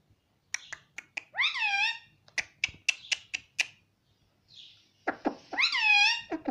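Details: Indian ringneck parakeet talking in Hindi, said to repeat words like mummy and mitthu; sharp clicks and short snaps lead into loud, harmonic, rising-then-falling drawn-out calls, with a second clicking series and another long bent call at the end.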